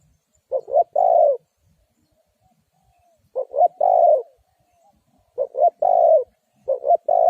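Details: Lure spotted dove used to draw wild doves into a trap, cooing repeatedly. Each phrase is two quick notes and a drawn-out coo, repeated about every two and a half seconds.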